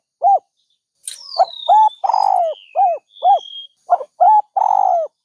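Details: Dove hoot followed by a run of rounded coos with a longer throaty note. A small bird's thin descending whistle and chirps overlap the start.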